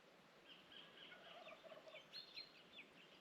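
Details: Just after 6 a.m. on the summer solstice, 21 December 2024, on a blueberry farm on the Awhitu peninsula, New Zealand, a distant unseen wild turkey gives a fast, gurgling gobble, faint beneath soft hiss.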